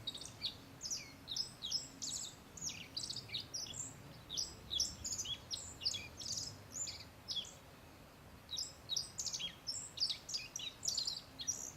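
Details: Black-faced bunting calling from a perch about three metres off in Settsu Gorge, northern Osaka: bursts of very high, thin chirps repeated every second or so, with a short pause midway and constant faint background hiss.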